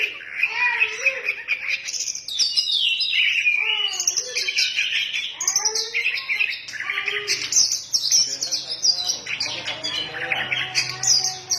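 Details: Oriental magpie-robin singing in the energetic 'ngefly' style: a dense, unbroken stream of high, rich whistles, trills and warbled slides with lower curving notes woven through.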